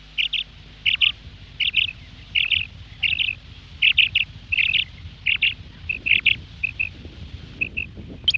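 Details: Quail (batair/bedana) calling, a recording for morning use: sharp, high clipped notes in quick clusters, repeated about every half second over a low rumble and faint hum.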